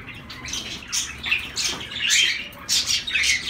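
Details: Short, high, nasal calls from zebra finches, irregular and overlapping, growing busier toward the end with a few sharper piping notes.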